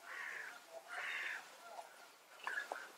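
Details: European bee-eater giving its rolling "prüt" contact calls, answered by another bee-eater to signal all is in order: two burry, trilled mid-pitched notes about half a second apart, then softer clipped calls near the end.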